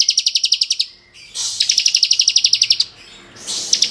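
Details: Bar-winged prinia of the crystal (kristal) type singing in the ngebren style, used as a tutor recording to provoke untrained prinias: rapid, evenly spaced high buzzy notes in bursts of about a second, separated by short pauses.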